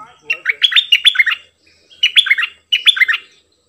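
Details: Cream-vented bulbul in double song, 18 June 2021, giving three phrases of fast, clear whistles that swoop down and back up, each phrase about a second long.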